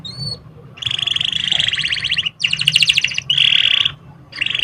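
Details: Canary song used to encourage young canaries to sing quickly: a short whistle, then long loud buzzy rolled trills with pulsing texture in three phrases, with a faint low hum behind.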